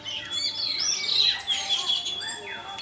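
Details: Lure recording of an orange-headed thrush in full 'teler' song, meant to make other thrushes join in. A short burst of dense, high, rising and falling whistles and chattering notes over a constant faint hum.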